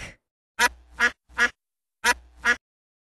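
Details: Five loud, rasping duck quacks from a domestic bird, grouped as a pair, a single, then a closing pair over roughly two seconds, with silence around them.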